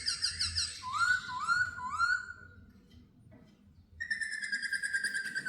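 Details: Laughingthrush released indoors for the first time, flying free in a house; loud clear whistled song with three rising, looping notes, a pause, then a sustained rich whistle over a soft low background murmur.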